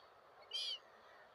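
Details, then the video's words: A single gull cry: one short, loud, ringing harmonic note lasting about a quarter second, with steady background hiss around it. "seagulls 🪶mouettes 🪶gaviotas"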